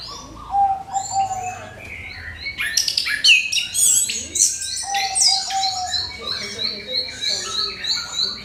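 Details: Orange-headed thrush giving a provoking lure song. A flat low whistle starts, then a dense high burst of varied chirps, with a thin repeated high note ticking along steadily behind.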